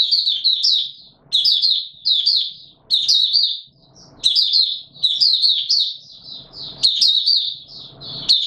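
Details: White-eye singing in warm humid weather on 20 March 2022: quick bursts of high, sweet twittering notes, each phrase about a second long and separated by short pauses, with faint low knocks in the background.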